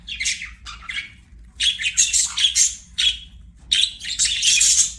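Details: Budgie chirping in bursts: short scratchy twitters, a gap, then longer buzzy warbling phrases with quick high chirps, separated by brief silences.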